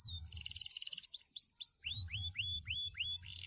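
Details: Canary, a former field competition bird, in strong song: a fast buzzy trill opens, followed by a run of clear upslurred whistled notes repeated about three times a second, over a faint low hum.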